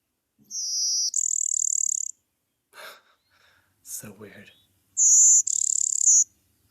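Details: Blue-winged Warbler, a bird of early successional habitats passing through on migration in early May, gives its high, thin two-part buzz twice, a short buzz then a longer one that holds its pitch; a person speaks between songs.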